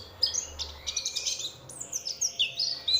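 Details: Oriental white-eye singing as a lure for other white-eyes: quick, high, sweet twittering with short slurred whistles and chirps run closely together throughout.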